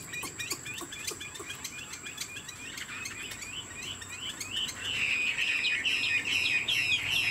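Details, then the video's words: Caged Chinese Hwamei, described as 90% pure, showing off its wings and singing with nodding, lion-dance-style movements. Short whistled notes repeat rapidly, quieter at first, then grow louder and more sustained after about five seconds. A steady high electronic tone runs throughout. "Họa mi thuần 90%, chơi cánh, hót gật gù múa lân"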